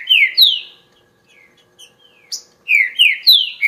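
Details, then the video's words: Green-winged saltator delivering clear, loud downslurred whistles, two at the start, soft twitters in between, then a fast run of four descending whistled notes at the end. "TRINCA FERRO"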